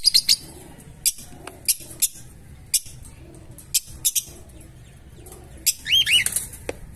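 Fischer's lovebirds give sharp, high, shrill chirps in brief bursts, irregularly spaced, with a run of rapid squeaky notes near the end.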